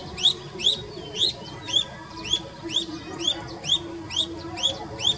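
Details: Himalayan bulbul (Pycnonotus leucogenys), call.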